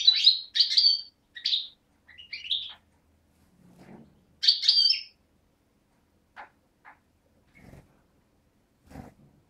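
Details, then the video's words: Young European goldfinch of the parva subspecies, hatched in 2011, from Beni Snassen on the Morocco–Algeria border, recorded 8 January 2012: short, bright, twittering bursts repeated over the first five seconds, then near silence with a few faint clicks and knocks. "chardonneret parva de beni snassen 2011"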